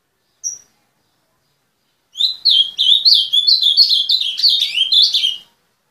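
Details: After one short high note and silence, a kept azulão (ultramarine grosbeak) launches into a loud, rapid, three-second warble of sliding notes in a clean quiet setting.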